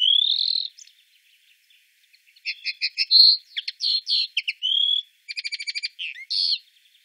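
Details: Common linnet song recorded in Wittlich, Germany, 2018, opening with a drawn-out rising whistle, then quick chirps, buzzy notes and a fast even rattle of repeated clicks before a final slurred note.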